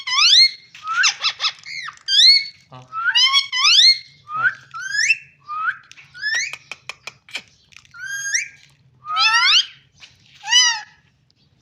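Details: A parrot giving a rapid string of clear whistled and rising, harmonic-rich calls, some sliding upward, others short clipped notes, in bursts separated by brief pauses, with a faint low hum in the background.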